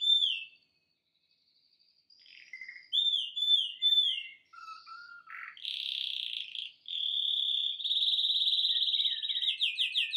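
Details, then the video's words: Male canary in full song while watching a screen: clear whistled slurs, a brief pause, repeated falling notes, a low warble, then a long bright trill that speeds into rapid stuttering notes. "Best Canary singing live"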